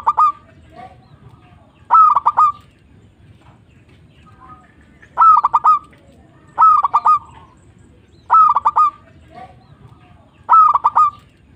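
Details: Local zebra dove singing vigorously: short bursts of clipped, staccato cooing notes delivered in quick clusters, each phrase about half a second long and repeated roughly every one and a half to two seconds over a quiet background.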